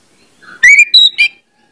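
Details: Short orange-headed thrush lure phrase meant to get other birds singing: a soft low note leads into a loud rising whistle, then a high flat whistle and a final quick double note.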